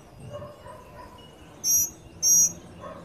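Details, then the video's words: Tropical mockingbirds, a family with young birds, eating at a sunny Trinidad feeder; two loud, sharp, high-pitched rasping bursts about half a second apart over low ambient noise. "Tropical Mocking Bird Family at the Feeder"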